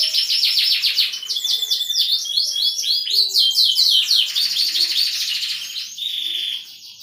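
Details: Canary singing a melodious warbling song: fast high trills and rolling repeated syllables, sweeping notes and sustained whistled tones, continuous throughout with little pause.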